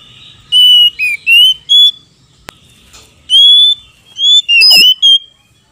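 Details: Male and female Oriental magpie-robins calling in reply to each other. Two clusters of bright whistles, level and slurred notes, with a harsh descending rasp near the end.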